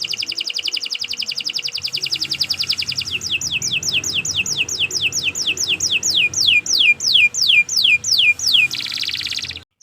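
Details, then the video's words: Canary training song: a long, fast, dry trill of repeated notes giving way to a loud series of clear descending whistled sweeps, ending in a brief buzz. "Kicau Burung Kenari 164 II LUAR BIASA GACOR PANJANG Cocok untuk Masteran"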